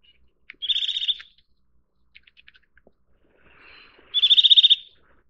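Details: Eurasian nuthatch delivering two rapid trilled bursts of high, clear piping notes, the second louder and longer, separated by a few soft clicks and a faint lower warble.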